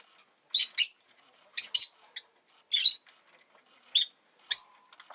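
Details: Rosy-faced lovebird at home, egg recently laid, repeating harsh high chirps in pairs and singles roughly every second, each note sharp and raspy with quiet in between.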